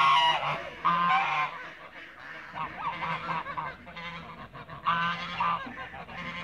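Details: Toulouse geese in a backyard, a flock honking in loud nasal bursts that come in clusters, with quieter overlapping calls between the outbursts.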